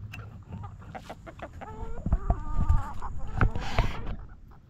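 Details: Backyard chickens in the coop: rapid, irregular clucking builds into a couple of drawn-out, slightly wavering tonal hen calls mid-clip, with louder bursts of cackling toward the end. A low hum is present throughout.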